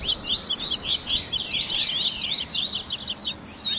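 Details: Baderninha warm-up song of a Double-collared seedeater, used to get captive birds singing: an unbroken, rapid jumble of high buzzy twitters and zigzag chirps over faint background hiss.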